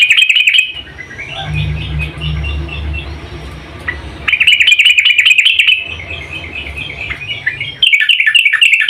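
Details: A female yellow-vented bulbul calls the male with runs of quick, jumbled chirps. The loud chatter opens the recording, softer twittering follows, and then two more bright bursts come after the midpoint and again near the close.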